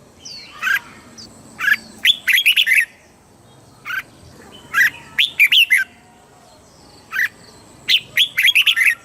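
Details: Red-whiskered bulbul from Thailand, southern master-style song for stimulating birds and training chicks: three matching phrases of an introductory note then a fast string of bright slurred whistles, repeated roughly every three seconds.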